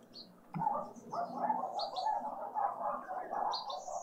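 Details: Green woodhoopoe family group at breakfast in a suburban garden feeder in Pretoria, South Africa, on a spring Sunday morning: a dense, continuous harsh chattering cackle of overlapping voices after a brief quiet start, with thin high chirps from other small birds above.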